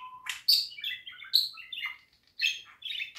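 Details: Budgerigar chattering warble with quick chirps, short whistles and scratchy notes in irregular bursts, a brief pure tone at the start and small pauses between phrases.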